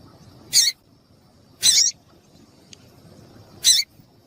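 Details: Female papa-capim calling to excite males for singing tournaments; three brief, rasping high chip notes about one to two seconds apart, with a faint tick between and steady low hiss.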